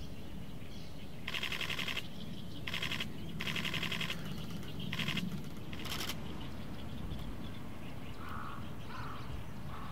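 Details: At Noda, Chiba, Japan, on 24 May 2024, an Oriental stork parent returns after about two hours away to two month-old chicks. It clatters its bill to express affection in five dry, rapid rattling bursts over low wind rumble.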